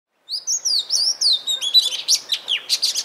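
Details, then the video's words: Oriental magpie-robin calling in Punakha, Bhutan: a rapid run of clear whistled, sliding notes that turns into sharper, scratchy chips and short buzzy bursts, about a dozen notes in three seconds, with no other sounds. "Oriental Magpie Robin Calling"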